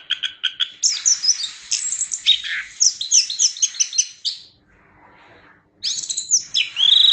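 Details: Chestnut-capped thrush giving dense, high twittering and whistled phrases for about four seconds, then a pause with only faint low murmuring before bright high notes resume.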